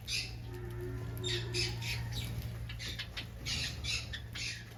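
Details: Finches in an aviary giving short nasal squawking calls in quick irregular bursts over a steady low hum.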